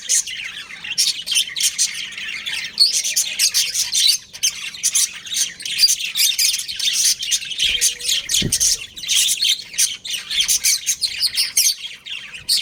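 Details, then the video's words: Pet budgerigars, a breeding pair, keep up a long stream of fast raspy chirps and chatter, with a brief thump partway through. "Cute Budgies Chirping Sounds"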